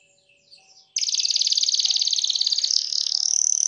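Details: Canary song to set off other canaries singing: after faint quiet notes, a sudden loud high rapid trill, about fifteen notes per second, holds steady to the end.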